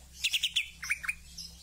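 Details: Greater green leafbird (Chloropsis sonnerati) giving a quick run of four bright chirps followed by lower, slurred whistled notes, all within under two seconds.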